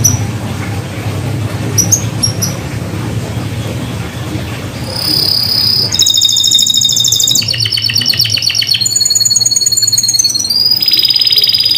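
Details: Atlantic canary lure song aimed at getting quiet canaries to sing again: after several seconds of low rumbling background and a few faint chirps, a clear whistle opens into loud, varied rolling trills in shifting sections.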